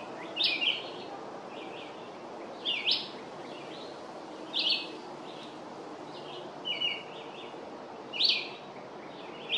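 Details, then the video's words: Red-eyed vireo singing a long song: short slurred whistled phrases, some rising and some falling, given every one to two seconds with brief pauses, over a steady low background hiss. "Red-eyed Vireo singing a long song"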